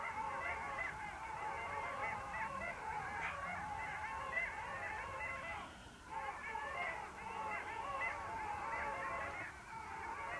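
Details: Many long-tailed ducks call together at the Vistula river mouth, 8 February 2013, in a dense chorus of yodelling, nasal notes that briefly dips around the middle, then resumes.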